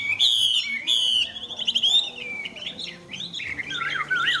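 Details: Chinese hwamei kept as a tame cage bird, pouring out loud clear whistles: two strong sustained whistled notes first, then rapid twisting slurred phrases sliding up and down.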